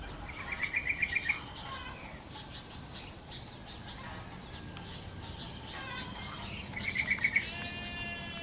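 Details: Sooty-headed bulbul singing actively in the wild. Two bursts of quick, evenly spaced chirping notes are separated by scattered short whistles and richer harmonic phrases, with other faint bird chirps in the background.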